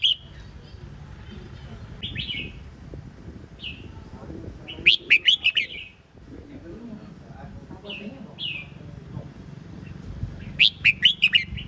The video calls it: นกกรงหัวจุก (Red-whiskered bulbul)